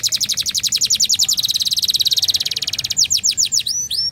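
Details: Flam-drag style canary song, sung by a domestic bird: a long fast trill of bright high notes, about ten per second, followed by a few looping whistled sweeps.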